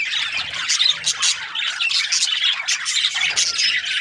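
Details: Australian budgies chirping: a busy stream of high, bright chirps and squeaky warbles, overlapping rapidly with several sharp squawks, lively and continuous with no pauses.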